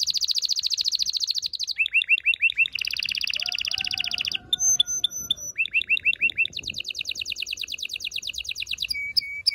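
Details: Continuous canary singing for mating preparation, with fast pulsing high trills alternating with rising chirps, sharp metallic notes and a brief faint lower tone, delivered without pause.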